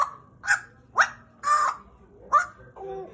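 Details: Pied butcherbird kept as a pet sings four loud, sharp upslurred whistles, spaced about half a second apart, ending with a softer, lower note.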